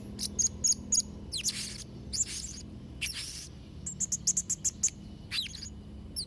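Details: Blue-crowned hanging parrot giving a soft, scattered series of very high, sharp tweets and brief hissy bursts, with quick clusters of three to five tiny chirps separated by short pauses, over a low steady hum.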